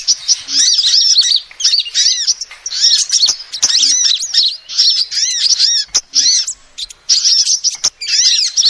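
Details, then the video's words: Calls of a female sunbird, used as a trapping lure: bursts of shrill, arched chirps crowded into rapid twittering phrases, separated by short breaks, with occasional faint clicks. "SUARA ASLI KOLIBRI BETINA"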